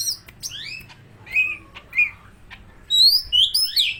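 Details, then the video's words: Medan greater green leafbird imitating an oriental magpie-robin, giving short bursts of high rising whistled notes, a few sharp clicks, then a louder cluster of bright, slurred whistles near the end. "Cucak Ijo Medan Suara Kacer"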